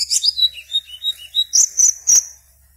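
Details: Black-naped oriole from Serang, Banten, Indonesia, entered in an online singing competition and kept caged; a string of short descending whistled notes ends with three loud, sharp high chirps.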